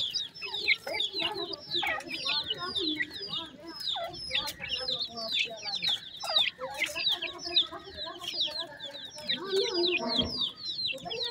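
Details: Several grey francolin chicks calling as they feed, giving rapid high peeping chirps about twice a second, mixed with softer lower clucking notes underneath and a brief low thump near the end.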